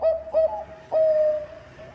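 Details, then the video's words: Bangkok zebra dove in full song, used to lure other birds into singing: two clipped resonant coos followed by a long, smooth, slowly falling drawn-out note. "Perkutut bangkok gacor suara cocok untuk pancingan"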